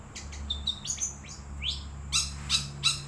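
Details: Wild long-tailed shrike in song, delivering a varied string of scratchy chirps, quick upward-sweeping notes and harsh rasping bursts spaced irregularly, with a constant thin high tone and low hum underneath.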